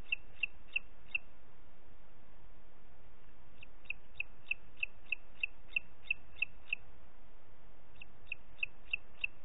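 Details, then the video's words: Repeated high yelping notes of a booted eagle recorded 30 June 2021, 11:01, in Parc Natural dels Ports: three bursts of rapid clipped notes, about three per second, separated by short silent gaps. "Àguila Calçada"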